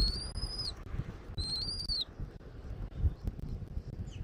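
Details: At a Southwest Florida nest on 13 January 2024, early afternoon, a bald eagle gives two high, thin, sustained whistles in quick succession, each ending with a downward slur. Steady low rumble fills the rest.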